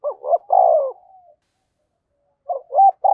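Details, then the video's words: Spotted dove calling as a decoy for wild birds, 'thổ' voice. One full low phrase, two hoots and a long rolling coo trailing off, then after a pause the start of another phrase. "chim cu gáy thúc và gáy gọi cực đỉnh, chim cu gay kich boi nhanh noi"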